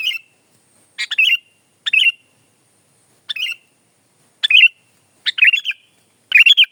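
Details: Sooty-headed bulbul in full song, used for tutoring and luring birds: short bubbly, liquid phrases of a few chirps each, repeated roughly once a second, seven phrases in all, with near silence between.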